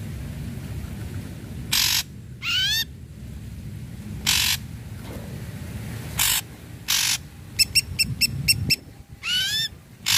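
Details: Ashy Drongo in vigorous song, meant to trigger singing in silent drongos. Sparse harsh rasps and rising whistled swoops, then a rapid burst of short stacked metallic chips and another upward-curving ringing whistle.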